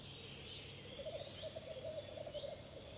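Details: Goosander calling during its first visit to a nest box, where it lays eggs at once; a single quick run of pulsed, rattling low notes lasting about a second and a half over constant background noise.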